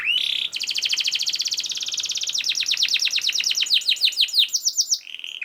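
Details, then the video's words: Canary singing a dense training song for other canaries: a short low note, then a long rapid trill that slows into distinct repeated downslurred whistles before a final low note. "KENARI GACOR SPEED RAPAT UNTUK MASTERAN KENARI ANDA"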